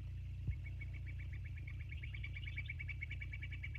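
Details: Bald eagles on the Sauces nest cam, 29 January 2024 at 22:51: one low thump, then a quickening run of squeaky high piping notes growing louder, backed by steady low hum.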